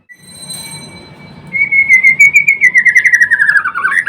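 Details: White-rumped shama (murai batu) holds a long steady whistle, then breaks into a fast pulsing trill that slowly falls in pitch and ends with an upward flick.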